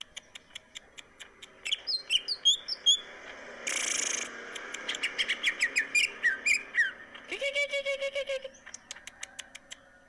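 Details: Greater green leafbird from Indonesia singing vigorously: rapid clicks and twittering whistles, a harsh hissing burst, a long run of evenly spaced ticking notes, then a low nasal rattling phrase.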